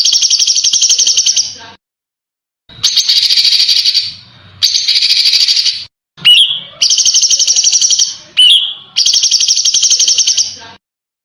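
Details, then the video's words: Training song for contest birds, dense and harsh with sharp shots: repeated bursts of shrill, rapid trilling, each a second or two long, split by short gaps and twice broken by a quick upward-sweeping note. "Masteran Burung Lomba JERITAN RAPAT DAN KASAR FULL TEMBAKAN TAJAM"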